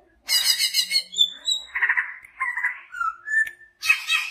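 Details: A big-bodied greater green leafbird (Chloropsis sonnerati) from Banyuwangi, in full song, pours out a lively, varied song: buzzy chattering bursts mixed with clear high whistles, some rising, some falling, in quick succession.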